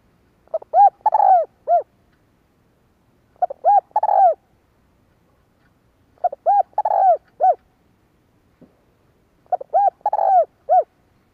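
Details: ["Spotted dove in 'kích bổi' style, a calling pattern for training a decoy bird: four matching phrases of hollow coos, each short notes leading into a drawn-out rolling coo, repeated about every three seconds in quiet surroundings."]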